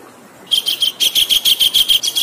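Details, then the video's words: Kingfisher calls from a masteran recording used to train songbirds, made with flowing water in the background. A silent start gives way to a fast run of sharp, high, clipped notes, each a short burst repeated several times a second. "MESTERAN KASAR RAJA UDANG BERJEDA 1-3 MENIT"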